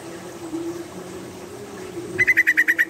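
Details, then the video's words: Female yellow-vented bulbul calling while crouching and pushing its tail. A low steady hum comes first, then eight quick sharp notes repeat in an even rapid burst near the end. "SUARA ROPELAN TRUCUKAN BETINA GACOR"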